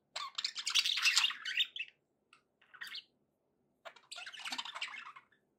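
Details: Happy pet budgie sounds: a dense, harsh warbling burst, a few isolated chirps, then another long raspy chattering phrase.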